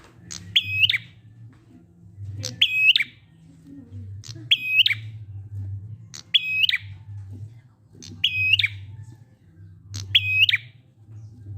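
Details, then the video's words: Prinia lure song for getting quiet prinias to sing: six regular phrases, each a short click followed by a high flat whistle with a falling tail, roughly every two seconds, steady low hum behind. "Prenjak ngalun ampuh 100% buat prenjak macet agar ikut bunyi"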